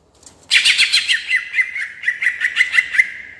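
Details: Cucak ijo, the greater green leafbird, in lively 'ngerol' rolling song meant to stir other birds: a sustained run of rapid rhythmic chirps over a steady whistled tone, pulsing about six times a second.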